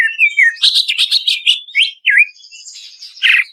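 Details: Song of the Greater green leafbird for luring stressed birds to sing: a falling whistle, then loud dense chattering, a hooked whistle, a soft high trill and a final harsh burst.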